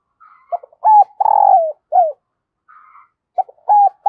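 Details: Decoy spotted dove cooing to call in wild doves: low hooting coos, each phrase a short note, a long drawn-out middle note and a falling final note, repeated twice with soft quieter notes between, otherwise silent background.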